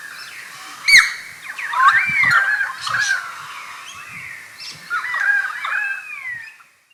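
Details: Call of a Pied Currawong, Takarakka Bush Resort, Carnarvon Gorge, Queensland, Australia, midday 21 July 2019, Panasonic Lumix GH5 camera; a sharp click, then rich warbling whistles that slide up and down, a pause, and another looping whistled phrase fading away.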